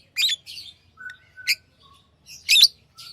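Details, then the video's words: Tame pet lovebirds chirp in mixed tones: harsh high bursts, soft buzzy chatter, and a few thin whistled notes, with a low background hum. "Love birds Sounds | lovebirds chirping sounds"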